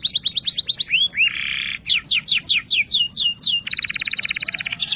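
A canary sings a fast, varied song: quick series of high downslurred whistles, a buzzy note, then a rapid, even rattle-like trill.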